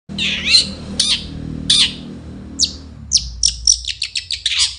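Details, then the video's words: Long-tailed shrike singing in the morning: loud, varied phrases of scratchy, squawking high notes and short downslurred chips, opening with spaced bursts and closing in a rapid run of sharp repeated notes; faint low hum beneath. "Nyanyian cendet di pagi hari"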